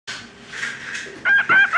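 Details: A male pet cockatiel talks to his reflection in a raspy, speech-like voice, saying phrases such as "Hey there, birdie!" and "Peek-a-boo!", then breaks into loud, clear, random whistled notes.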